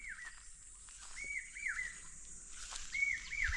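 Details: Common hawk-cuckoo calling loudly from a mango tree beside a house in the June–July pre-monsoon season, its call locally rendered as "pavsha-go" or "perte-va" and thought to summon rain; short, clear whistled notes, some dipping and rising, in small bursts over a steady high insect-like hiss.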